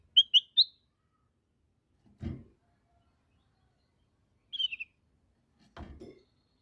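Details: A black-headed bulbul gives three crisp whistled notes, then falls quiet. A dull thump follows, then one slurred descending whistle, then another muffled knock.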